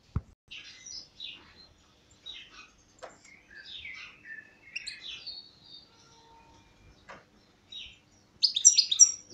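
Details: A European goldfinch caught the previous year, its owner asking whether it would serve as a call bird, sings a rapid, tinkling run of twittering, liquid notes and buzzy trills, mostly high-pitched, ending in a louder burst of chatter.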